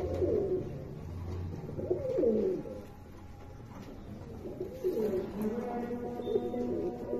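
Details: Several American fantail domestic pigeons, six pairs kept together, give low, rolling coos, overlapping in a small enclosed space.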